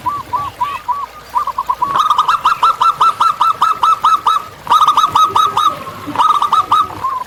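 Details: Wild local zebra dove singing actively: a few soft introductory coos, then a long run of about a dozen crisp, rapid cooing notes, followed by two shorter bursts.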